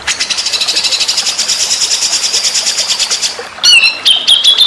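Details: White-rumped shama song from a training recording: a long rapid high trill, then a pause and loud clear whistled notes, some sliding downward, with a short burst of chips.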